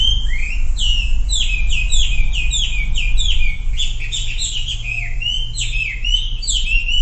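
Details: Sumatran leafbird lure song aimed at getting silent birds to sing: rapid repeated downslurred whistles, about four per second, loosely rhythmic, mixed with higher chips over a low hum.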